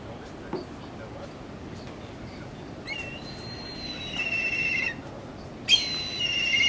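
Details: At Langue de Barbarie, Senegal, in April 2010, a Black kite gives two high, thin, whinnying calls, each a drawn-out note breaking into a quavering trill, over a soft steady hiss.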